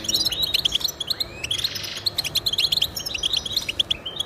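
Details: European goldfinch singing in a fast, lively stream of bright chirps and quick upward-sliding notes, tightly packed and bubbling, over faint background hiss; meant to motivate caged goldfinches to sing.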